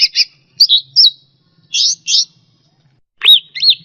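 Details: Captive cucak rante on a training recording for pet birds: scattered harsh buzzy notes in pairs and a slurred whistle, followed by two arched whistled notes, with a faint low hum.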